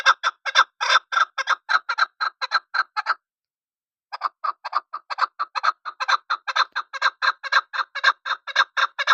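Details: Repeated chuck notes from a chukar partridge, a three-second loud series, a pause, then a long steady run of rhythmic clucking that grows stronger.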